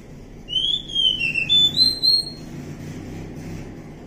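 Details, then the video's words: Wild Oriental magpie-robin singing one bright phrase of long whistled notes sliding down and then rising, followed by quiet background hum. "suara asli kacer hutan"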